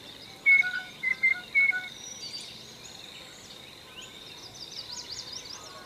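A blue jay gives four short, clear, slightly bell-like notes in about a second, over a busy background of faint chirps and twitters from other birds.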